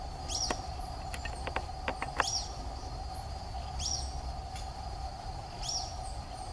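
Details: In the Atlantic Forest, a Social flycatcher gives high, sharp call notes about every one and a half to two seconds, over a steady mechanical hum, low rumble and a few faint ticks.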